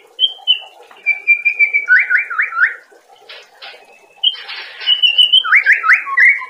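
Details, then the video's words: White-rumped shama (murai batu) daily training song for conditioning caged birds to sing: clear sustained whistles, then quick runs of slurred, chopped notes and harsh buzzy bursts over a low steady hum. "Masteran materi harian burung murai batu"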